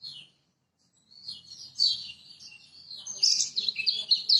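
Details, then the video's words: A lemon-bellied white-eye from Lombok delivers a master song to coax birds that will not sing: after a short note and a pause, a long high warble builds, growing louder and busier with quick chirps. "Masteran Kecial Kuning Lombok!!! Buat Pancingan Kecial Macet"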